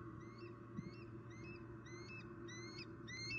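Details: Bald eagle vocalizing at a nest tree in Southwest Florida on an October 2019 afternoon, around the male's second squirrel delivery. A faint series of thin, rising whistled notes repeats steadily over a low constant hum.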